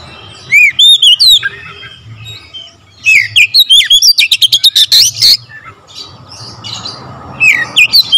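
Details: Oriental magpie-robin in full song with varied fill-in phrases: bright whistled notes and downslurs, then a fast run of sharp repeated chips near five seconds, more slurred whistles toward the end.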